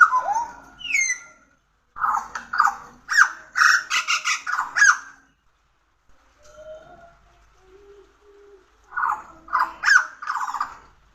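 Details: Pied butcherbird song: a mellow falling whistle, then a run of harsh, chattering notes mixed with fluty tones. After a quieter stretch of soft low whistles, another rapid scratchy burst follows.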